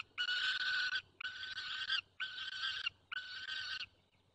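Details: White stork at a nest in the Barycz Valley, Poland, 9 June 2020 at 10:54, calling to adopted young; the nest holds one own chick and three adopted ones. Four harsh, buzzy, harmonic bursts, each nearly a second long, separated by short pauses.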